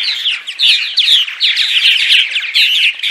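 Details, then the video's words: Several purple martins chatter by day: bright, bubbling warbled phrases and squeaky chirps in quick bursts, each about half a second, repeating back to back. The recording is meant to attract martins to houses during migration. "Attract Purple Martins (10 hours of Daytime Chatter)!"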